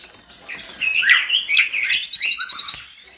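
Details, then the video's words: Mountain tledekan in full, agitated song that sets off answering tledekans: dense, tumbling high chirps and slurred whistles that build into a rapid, pulsing trill. "Tledekan gunung gacor ngamuk bikin tledekan lain langsung respon gacor dor"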